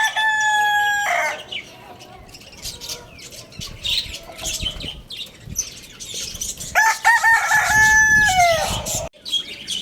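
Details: Rooster crowing loudly at a bird market. The clip opens on the end of one crow, and a full crow follows later, held level for about two seconds before dropping. Constant twittering of small birds sounds between them.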